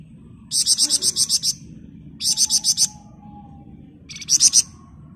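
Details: Flamboyan (golden-bellied gerygone) in constant ngebren singing meant as a master for other birds: three rattling bursts of rapid high buzzy notes, eight, then six, then five, with a faint whistle between.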